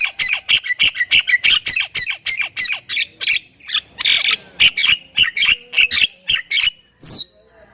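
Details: Javan myna from Thailand singing a vigorous filled-out song of rapid grating squawks and clicks, steady and fast, ending in one high, sharply rising-then-falling whistle after a short gap.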